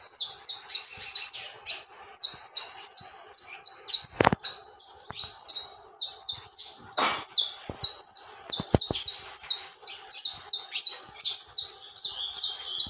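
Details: Saffron finch singing nonstop: a dense, rapid stream of high, bright chirped notes, some falling, about three per second, run together without pause. A few sharp clicks are heard.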